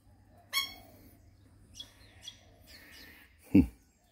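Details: Wild red-winged parrot visiting to be fed, a visitor roughly once every three weeks: a single harsh, harmonic-rich squawk, then softer faint chatter notes, and a loud low thump near the end.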